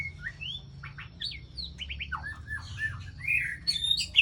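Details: Lure sound of an Aceh white-rumped shama, from Ladong in Aceh Besar, meant for trapping birds. A rapid varied run of short whistles, slurred chirps and harsher squawky notes ends in loud high notes.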